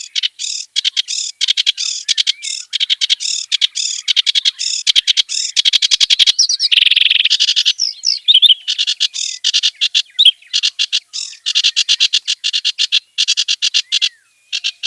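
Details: Wild kerak basi delivering a long, continuous stream of scratchy, rapidly repeated chatter. A denser, rasping burst comes midway, then the clipped staccato notes resume to the end.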